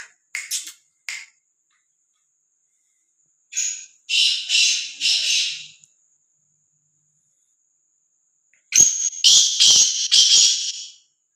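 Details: Free-roaming, fearless black francolin calling: a few short harsh notes, then two grating phrases of four or five loud rasping notes, each about two seconds long, with sharp clicks at the start of the last phrase.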